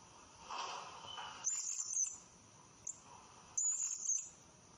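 Blue-crowned hanging parrot giving very high, thin, sizzling twitters in two short bursts about two seconds apart, with a softer lower chatter at the start.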